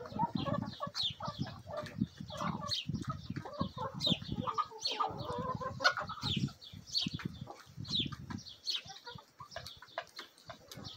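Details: Backyard flock of Bielefelder and Golden Cuckoo Marans mix rooster with Marans, Araucana, Easter Egger and Olive Egger hens in a feeding frenzy; busy overlapping clucks and sharp chirps, with pecking, scratching and wing flaps throughout.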